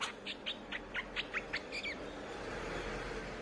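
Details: Streak-eared bulbul song used as a lure: about ten short clear chirps, evenly spaced about every fifth of a second, ending in a slurred whistled note, then quiet hiss.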